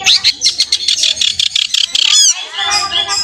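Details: Pastol-type long-tailed shrike in full song, meant to excite other shrikes into singing; rapid chattering burst of harsh high notes, then a swooping whistle and a warbled, harmonic tail.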